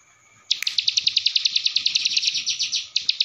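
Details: Ciblek sawah masteran, Cililin fill-in: after a faint start, a sudden rapid burst of high, buzzy chirps rattling on for over two seconds, a pause, then two more notes.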